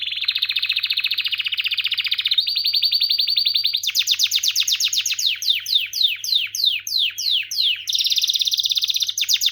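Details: Singing canary delivering long rapid trills, buzzy rolls giving way to a run of sharply descending slurred notes about three per second, then a high fast roll.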